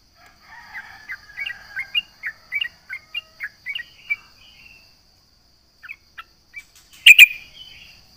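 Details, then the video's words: Sooty-headed bulbul (trucukan) singing in a taunting manner at rivals: a string of quick chirped notes for about four seconds, silence, a few scattered chirps, then a sharp loud clatter near the end. "SUARA trucukan gacor MENGEJEK LAWAN"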